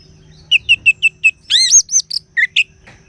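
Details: Orange-headed thrush singing: five short, evenly spaced chirped notes, then a loud, rich burst of arched, slurred whistles and two final sharp notes, over a faint low hum.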